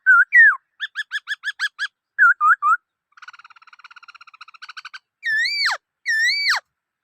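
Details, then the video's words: Black-throated laughingthrush song: varied looping whistles and a run of rapid repeated notes, then a soft fast rattling trill, ending in two long whistles that swoop steeply downward. "Noog Sab Hwj Quaj Dib Tuaj Zoo Heev {นกมะเกลือร้องเพลง"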